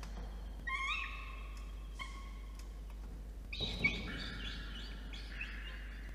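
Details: A peregrine falcon nestling begs for the dinner an adult male brings, nest box on a water tower, Orange, NSW, 5 November 2021, 8:56 PM; drawn-out, nasal, harmonic screeches separated by pauses, ending in a denser rasping burst.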